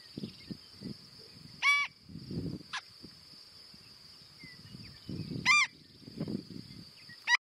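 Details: A marbled godwit in western South Dakota in summer gives three loud, nasal, ringing calls spaced a few seconds apart, over a steady high insect drone and low wind rumble.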